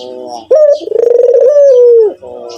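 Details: A white Barbary dove gives one full coo: a sharp upslurred opening note, then a long pulsing, rolling coo that swells and slowly sinks before cutting off, with soft droning notes before and after.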